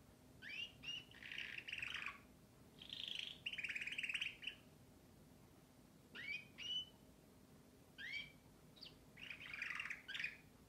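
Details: Singing canary with bursts of sharp upswept whistles alternating with rich, rolling trilled phrases. It pauses briefly between bursts and keeps up a lively, varied delivery over faint background hum.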